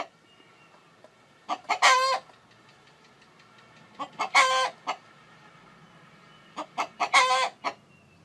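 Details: Chicken call series while a hen incubates eggs: three groups of quick clucks, each peaking in a harsh, buzzy, prolonged note and trailing off in a cluck or two, over a faint steady hum.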